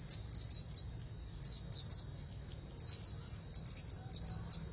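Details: Red-headed bunting singing, with groups of three or four bright high chips separated by short silences, ending in a quick series of notes, above a steady faint tone.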